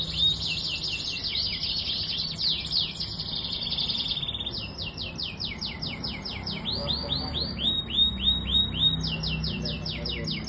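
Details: Canary singing in long rapid trills, switching between sustained buzzy rolls and series of sharp descending whistled notes repeated several times a second, with constant low background noise.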